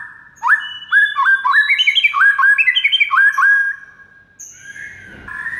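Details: White-rumped shama song used as a master to make other shamas answer: a quick ladder of upward-swept whistled notes repeated in climbing phrases, followed by a short burst of softer, scratchier sounds.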